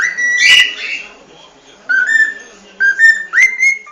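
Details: Cockatiel singing: a loud blurred whistle at the start, then after a pause short level whistled notes that step upward, ending on a rising whistle; faint low background hum.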